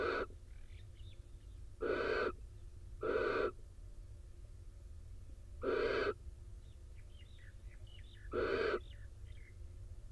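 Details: Barn owls in a nest box in Israel after the male flies in wet from the rain to join the incubating female; five breathy, harsh screeches at irregular one- to three-second gaps, with light twittering of small birds behind.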